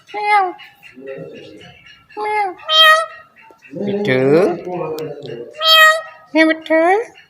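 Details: Pet ringneck parrot talking and meowing indoors: short speech-like phrases and cat-like meows with wavering, rising and falling tones, separated by brief pauses.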